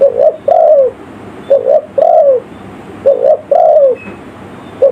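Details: Lure call of a spotted dove for attracting forest birds: a short double coo then a longer descending coo, the pattern repeating about every one and a half seconds in a steady rhythm.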